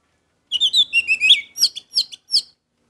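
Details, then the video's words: Lively orange-headed thrush song, a fast chain of bright, high whistles and twittering notes that slides lower, then separate sharp chirps spaced about a third of a second apart. "Anis merah gacor Mendongkrak emosi"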